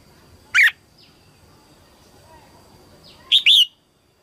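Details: Female red-whiskered bulbul singing to excite males early in the 2022 season: a single sharp whistled note, then three seconds later a quick double whistle rising and dropping, with faint distant chirps.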